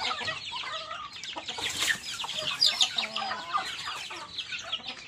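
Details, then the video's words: Chicks, young chickens, peeping while eating: crowded chorus of rapid high descending cheeps, steady in level, with occasional brighter sharp notes. "HUNI NG MANOK HABANG KUMAKAIN, CHICKEN SOUND EFFECT"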